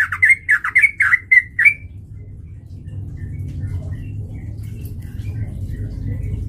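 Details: Sooty-headed bulbul song used as a lure to provoke fighting, a quick burst of bubbly, warbling whistled notes in rapid succession that stops abruptly, leaving a low background hum.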